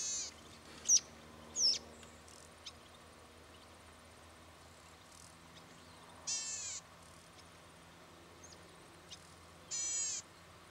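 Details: Golden-headed cisticola, Victoria, Australia, winter 2013: two sharp rising chips early, then long harsh buzzes, each about half a second, repeated roughly every four seconds in an otherwise quiet setting.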